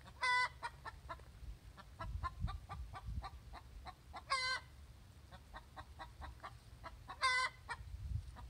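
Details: Hen egg song given after laying: three loud, drawn-out squawks spaced roughly three to four seconds apart, each separated by runs of quick staccato clucks, over light low background noise.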